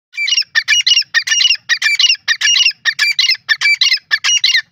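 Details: Grey francolin (teetar) calling loudly: a fast, shrill series of harsh, clipped notes in tight clusters, about a dozen bursts in under five seconds, with no other clear sounds.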